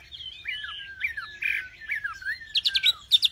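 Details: Nightingale song of gliding whistles that sweep downward, one long falling slur, then a closing series of rapid, harsh, clicking repeated notes.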